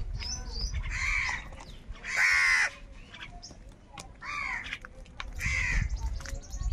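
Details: Crows fighting for food utter harsh caws at irregular intervals, one especially loud and prolonged, over a low background rumble.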